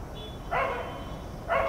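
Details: Indian grey hornbill at Shiv Ngr, 15 09 23, giving two loud rasping squeals a second apart, with a faint high whine beforehand.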